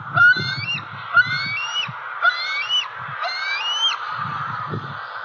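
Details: Six-month-old juvenile female bald eagle perched in her nest tree by a pond in Southwest Florida, October 4, 2020, calling out for breakfast; four high, thin whistled squeal series with rising harmonics, low rumbling noise underneath.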